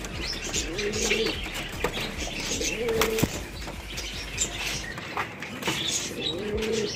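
Pigeons give soft, low cooing phrases at intervals, over wing flaps and a busy wash of chirping and rustling from other birds.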